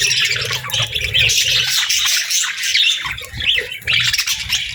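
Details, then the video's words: Happy pet budgies in steady high chatter, overlapping squeaky chirps and warbling notes with a few rising-falling whistled sweeps, plus a low rumble underneath during the first seconds. "Budgie Chirps & Sounds"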